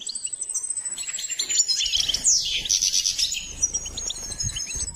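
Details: Goldfinch song during training: a long, thin, high whistled note sustained across the clip with a rapid, busy twittering layered over it and soft low rumbles beneath.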